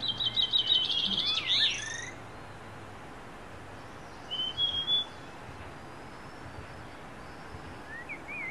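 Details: At first light in wild forest, a niltava sings: an opening burst of rapid high trilling, then a lone thin whistle held level, and a faint rising note near the end, with quiet background hiss.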